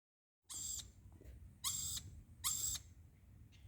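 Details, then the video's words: Lorikeet giving three harsh, high, rasping screeches, each about a third of a second long and roughly a second apart, over a low background hum; the owner is unsure why it makes this noise. "Lorikeet making this noise"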